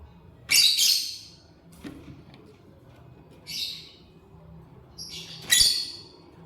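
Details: Lovebird chirping while eating corn: three bursts of harsh, high, scratchy chirps, the first and last loudest, with quiet pauses between them and a faint low background hum.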